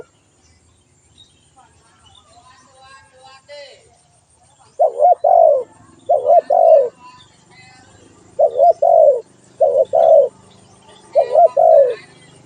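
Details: Spotted dove giving a run of six low, mellow coo phrases after a quiet start with faint chirps in the background. Each phrase pairs a quick wavering note with a drawn-out falling coo.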